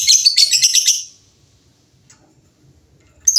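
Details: A group of lovebirds answering each other. It opens with a dense, rapid burst of gritty chattering notes lasting about a second, then goes quiet until one more sharp screech at the end.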